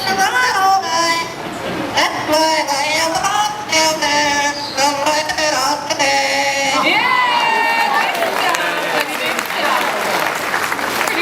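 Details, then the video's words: A yellow-naped Amazon parrot, a kind normally found in Central American forests, sings for a treat in a clear, human-like voice with sliding, wavering notes while a crowd murmurs and applauds. "this awesome parrot is singing in a clear voice"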